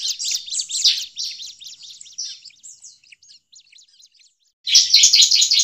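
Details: Bar-winged prinia agitated calling, used as a lure: quick high chirps fading into sparse thin notes, a short silence, then a sudden loud burst of dense chattering.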